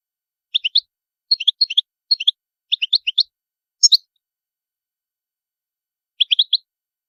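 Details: European goldfinch giving short bursts of three or four quick twittering chirps, grouped closely and separated by brief pauses, with a longer silence before a final burst; no other sounds.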